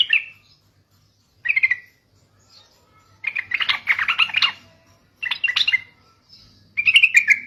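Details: Lure recording of sooty-headed bulbul song meant to provoke other bulbuls: brief bright chirps alternating with longer bubbly, chattering phrases, each burst followed by a short pause, with a faint low hum underneath.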